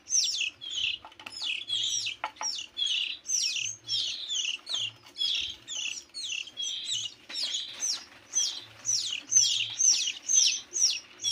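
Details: Canary chicks, 15 days old, begging: rapid high chirps repeated about twice per second, each a short descending and rising squeak, bursts continuing steadily with a faint low hum underneath.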